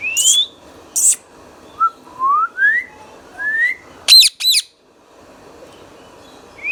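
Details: Pet green Indian ringneck parakeet, a talking bird, gives a series of short rising whistled notes, then two sharp, harsh, high squawks in quick succession, with a quiet room between sounds.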